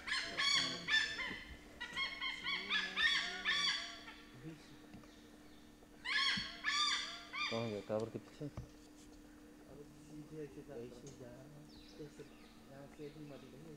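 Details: Indian pied hornbill at Bandhavgarh National Park in central India gives raucous, nasal cackles in quick runs, then a pause and another burst. Hindi speech and a steady low hum run beneath.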